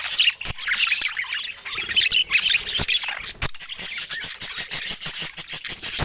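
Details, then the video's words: Pet budgerigars chirping: dense, busy warbling chatter of high chirps and squeaky notes, broken by rapid repeated clicking ticks, loud and continuous. "Top Cute Budgies in Love Making Funny Sweet Sounds of Joy and Fun"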